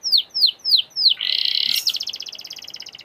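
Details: Canary song used to prompt canaries to sing: four loud descending whistled notes spaced evenly, then a dense buzzy roll and a bright rattling trill of rapid repeated notes.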